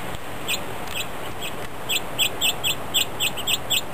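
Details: Several grosbeaks feeding together on New Year's Day, 1 January 2010, giving short, bright chip calls, about a dozen in a quick run over a steady background hiss.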